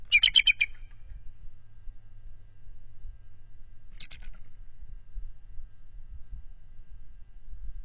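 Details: Bald eagle pair guarding nest and egg against an intruding mature adult eagle, February 18, 2023; two short bursts of quick, high, chattering notes, one at the start and one near four seconds, separated by near-silence and low rumble.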